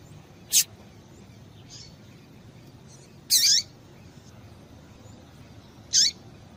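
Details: Female double-collared seedeater (Sporophila caerulescens) gives short, high, sharp chips, about three in six seconds at uneven intervals, over faint hiss. The call is played to excite males and stimulate their song.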